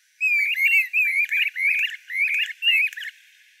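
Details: Streamer-tailed tyrant, a migratory wetland flycatcher, singing a chattering series of about seven scratchy, upslurred note groups, each roughly a third of a second long, delivered in quick rhythmic succession over three seconds.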